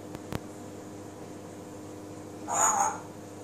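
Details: Pet African grey parrot indoors, singing and imitating voices; a single short warbled, voice-like phrase rises and falls near the end after two sharp clicks, over a steady room hum.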